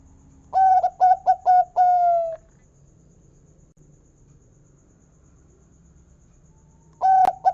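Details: Local zebra dove with a big 'kung' voice: a phrase of a long coo, three quick clipped notes and a long falling coo. After about five seconds of quiet a new phrase begins.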